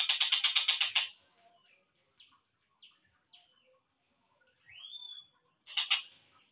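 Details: Collared kingfisher at slowed speed, a recording for training other songbirds: a one-second burst of harsh, rapidly repeated notes, then scattered soft chips, a rising whistled slur, and a second short harsh burst.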